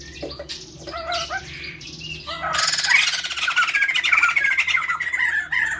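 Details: Pair of white-crested laughingthrushes, male and female, in full voice as a lure sound: a few scattered chattering notes at first, then a loud burst of raucous cackling chorus lasting to the end.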